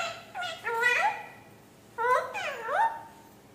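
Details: Parrot imitating speech with two short phrases, each of quick voice-like syllables sliding up and down, separated by a brief pause.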